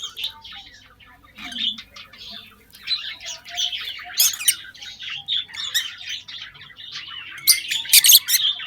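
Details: Caged lovebirds in a breeding box setup, 2023 breeding season: continuous dense high-pitched chattering and squeaky chirps, with louder shrill bursts toward the end and a brief wing flutter.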